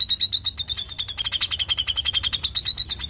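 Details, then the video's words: Cucak jenggot, the grey-cheeked bulbul, giving tight 'ngepik rapat' chatter: rapid pulsed high notes, roughly three per second, running continuously at one bright pitch, slightly dipping mid-phrase. "Sperti ini CUCAK JENGGOT Ngepik Rapat"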